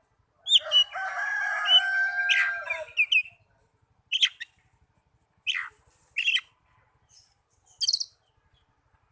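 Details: Oriental magpie-robin song used to stimulate caged birds to sing: a long, harsh, drawn-out rasping note with a steady hum, then scattered sharp chips and short down-slurred notes spaced a second or more apart.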